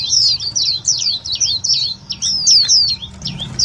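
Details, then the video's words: White-eye calls used as a lure for trapping and for stirring up other white-eyes, loud and clear: rapid run of high, thin downslurred chirps, often two per beat, tumbling over one another for nearly four seconds. "Tiếng chim vành khuyên mồi cực nhạy"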